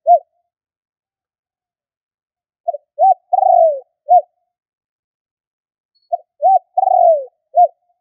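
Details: Repeated luring coos of a spotted dove: a short note, then a rounded coo, then a drawn-out coo that slides down, ending in a crisp short coo; two phrases about four seconds apart in silence.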